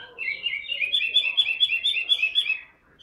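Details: Tame caged Chinese hwamei, a big bird that sings constantly, pours out a fast, rich warble of rolling whistled notes, pulsing several times a second.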